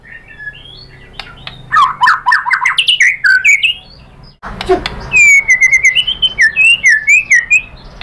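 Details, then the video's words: Lure song of a white-rumped shama, meant to provoke rivals into full song. Harsh chattering notes lead into a dense run of rising, slurred whistles, then a clear series of quick, even, mid-high chirps. "pancingan MURAI BATU agar bongkar materi TEMBAKAN"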